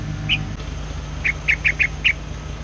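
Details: Lure bird, a white-plumaged streaked spiderhunter taken into the forest, calling tirelessly: one sharp chip, a short gap, then a quick run of five bright doubled chips, with a low rumbling drone underneath.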